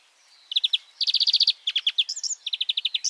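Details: European greenfinch singing: bright trilled phrases of rapid repeated notes, each burst about half a second long, with a short twittering note between trills; clean recording with no other sounds.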